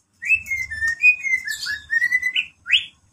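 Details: Champion greater green leafbird singing a run of clear whistled notes that slide and wobble at mid-high pitch, with one phrase ending in a quick upward sweep, over a faint low hum.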